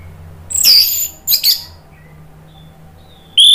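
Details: Orange-headed thrush singing to coax a bird into song: a harsh, high, scratchy note and a buzzy double burst, a pause with a faint thin whistle, then a loud clear whistle beginning at the end.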